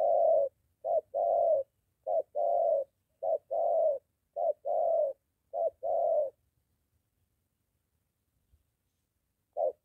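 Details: Spotted dove near home, a molting decoy bird being trained as it meets a wild male; a run of hoarse coo pairs for six seconds, then near silence before one more coo begins.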